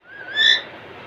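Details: Alexandrine parakeet, a pet talking parrot, playing in front of a mirror: a single short rising whistled note that swells and falls, with rich harmonics.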